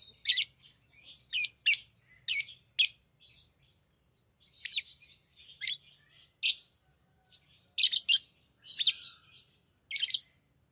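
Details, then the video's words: Hand-tamed lovebirds chattering as they play with rings, repeated sharp, scratchy high chirps in quick groups with softer twitters between, continuing steadily throughout. "Love birds Talking | Singing Sounds"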